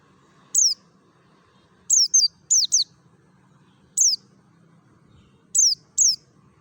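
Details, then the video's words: Mountain white-eye from Merapi singing its wild-style lure song: single and paired sharp descending high chirps, bright and thin, separated by short gaps, with a soft low hum beneath. "SUARA NGALAS SAMPAI PARUHNYA SOBEK❗PANCINGAN PLECI DAKUN MERAPI"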